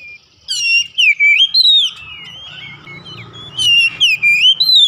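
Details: Song of an oriental magpie-robin kept at home, played to encourage singing: a burst of swooping whistles and sharp chips, a quieter murmuring stretch with low hum, then another loud whistled phrase.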